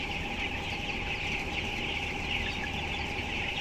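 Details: Broiler chickens at 12 days old, housed by the thousands in a closed house. The sound is a continuous shrill chirping chorus layered over heavy low fan noise and electrical hum.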